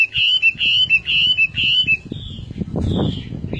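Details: Chinese hwamei repeating a short whistled phrase about four times in a steady rhythm, then trailing into softer notes, over a background of rustling and low thumping noise.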